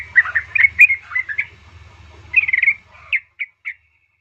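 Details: Female yellow-vented bulbul calling to a male, played as a lure: tumbling cluster of bubbly notes, a short gap, another burst, then three isolated clipped chirps ending in silence.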